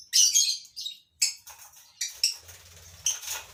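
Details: Captive lovebirds in a breeding colony give grating, high chirps and chatter in clusters, over a low steady hum in the background.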